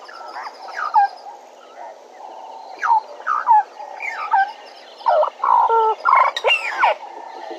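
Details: Bennett's woodpecker at Djuma gives scattered nasal notes that build into loud, rapid chattering bursts in the second half, over a steady low background hiss.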